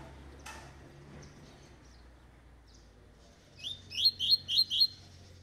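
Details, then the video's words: Tui tui (vibro) style song from an eight-month-old double-collared seedeater: after a quiet pause, a rapid run of five or six bright, sharp whistled notes repeated evenly, each sliding upward, in a quiet indoor setting. "COLEIRO TUI TUI (VIBRO) 8 MESES DE VIDA"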